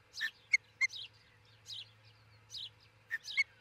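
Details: Osprey pair nesting near Charlo, Montana, on a nest cam early on June 22, 2018: a quicker, irregular burst of high chirps mixed with short, clear whistled notes, loud and close.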